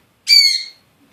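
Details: A one-year-old pet African grey parrot lets out a single loud, harsh, high-pitched squawk lasting about half a second, then silence.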